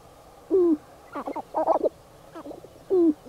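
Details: Sharp-tailed Grouse males displaying at a spring lek in April while females lurk at the edges pretending not to watch; short hooting coos and clucking, cackling bursts in a loose series around mid pitch, quiet background.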